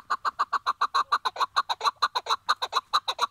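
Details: Tethered decoy Chukar partridge in Şırnak, Turkey, calling before a partridge hunt with a trap: a steady run of loud, clucking chuck notes repeated about twice a second, evenly spaced throughout.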